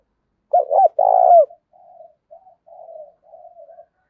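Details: Spotted dove used as a fighting and trapping lure, cooing fiercely: a strong phrase of a quick doubled note and a longer throaty roll, trailing into four softer, fading low coos.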